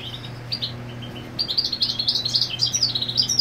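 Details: Territorial European goldfinch, its mate on the nest, starting with sparse high chips then building into a fast, jangling twitter of bright notes that grows louder toward the end, a faint low hum throughout.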